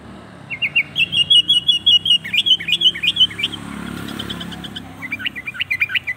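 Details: Sooty-headed bulbul (kutilang) singing to provoke other bulbuls: rapid series of short whistled notes around mid-high pitch, bursts repeating quickly with a brief pause, faint vehicle rumble in the background.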